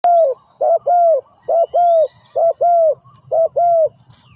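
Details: Spotted dove cooing: four loud, low, mellow phrases, each a short coo followed by a longer, slightly falling croo, repeated about once a second in a steady rhythm, with faint high bird notes in a quiet background.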